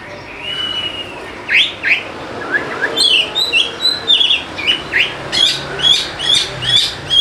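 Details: Oriental magpie-robin song used as a lure to prompt lazy birds to sing: a soft opening whistle, then a lively run of sharp chirping and whistled notes repeated at a quick, slightly irregular pace above steady background hiss.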